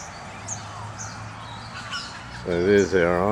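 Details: Cockatoo gives a loud, harsh, wavering squawk near the end after quiet outdoor background with faint distant chirps and possible voices; recorded in Perth on a dry, cloudy morning, with corellas and other cockatoos nearby.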